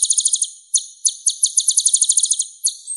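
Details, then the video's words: Kolibri ninja, the purple-throated sunbird of Java, gives a high, clean chattering song. Bursts of quick glittering pulses are broken by single sharp chips, and the recording is free of background noise. "MASTERAN KOLIBRI NINJA Suara Bening Kualitas Juara"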